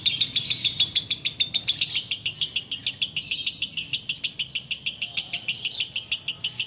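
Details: Continuous ngekek chatter from a sooty-headed bulbul during the wait to break the fast: a long train of shrill, buzzy notes repeated briskly and regularly, about three per second, steady in pitch throughout.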